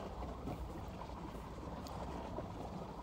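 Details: Steady low rumble of a boat on water mixed with wind noise across the microphone, and no animal voice.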